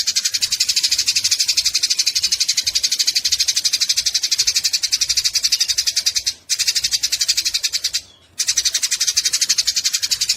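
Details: A steady grating chatter from fighting Eurasian tree sparrows, fast regular high pulses running on for ten seconds with two brief gaps.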